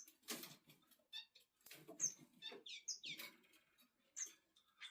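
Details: A male red-billed firefinch being stroked gives thin, high chirps and short squeaky notes at irregular intervals, mixed with soft rustling and fluttering sounds.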